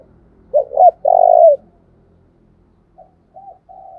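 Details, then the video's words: Spotted dove used as a decoy bird, calling to lure wild doves into singing: two short clipped coos, then a long drawn, slightly falling coo, followed by softer, fainter coos after a pause. "Tiếng chim cu mồi thúc sung nghe là ghiền bổi nghe là 100% gáy"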